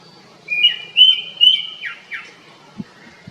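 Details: Japanese thrush delivering a song phrase of three sustained whistled notes followed by two quick downward-slurred notes, then quiet with a couple of faint low knocks.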